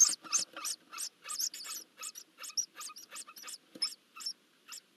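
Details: Eurasian hoopoe young being fed in the nest, Hungary, June: separate high, rasping squeaks and hisses in irregular quick series, fading toward the end.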